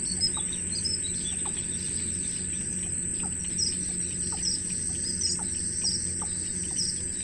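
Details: Nestlings in a wild bird nest begging a parent for food give short, high, sharp chirps scattered every second or so, with a constant shrill tone, low background hum and faint regular clicking beneath.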